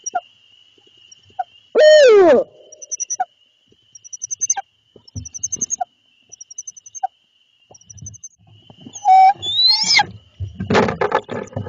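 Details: Barred owl (Strix varia) at night in Lebanon, Connecticut, male bringing food to its mate for three owlets, calling between the pair: a loud, harsh, downslurred wail, then a rising-and-falling call, over steady insect drone and faint chirps.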